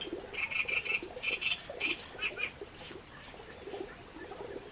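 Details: Reed warbler giving a run of rasping, repeated chattering notes with a few higher squeaky slurs, fading after about two and a half seconds into quieter background sound.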